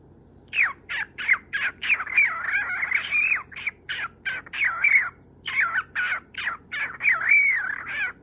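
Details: Lutino pet cockatiel, lonely and wanting attention, coming to win its owner's favour indoors; a long run of harsh, raspy squawks, some short and clipped, others drawn out and wavering, repeated almost without pause for eight seconds.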